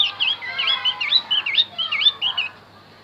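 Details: Javan white-eye song played as a lure for wild birds, a fast chain of bright, downward-curving chirps repeated about twice a second, fading out near the end.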